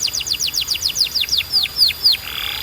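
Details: Singing canary for training other canaries, delivering an even series of about a dozen loud descending whistled sweeps, gradually slowing, over a soft background hiss.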